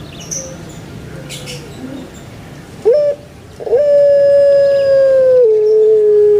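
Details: Caged puter pelung Barbary dove on Java giving a hoarse introductory coo, then a long, level, drawn-out note that drops in pitch near the end and carries on.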